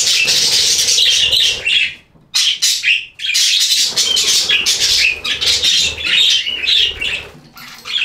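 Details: Loud, dense budgerigar warbling: continuous high, scratchy chatter mixed with whistled notes, with two brief pauses near the middle before the chirping resumes.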